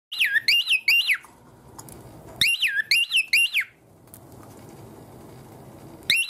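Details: Pet cockatiel at bedtime, clinging to its cage and singing as a cover is about to go over it, not wanting to sleep yet. Two bursts of bright whistled warbling, each a chain of wavering rising-falling notes, with a third phrase starting at the end.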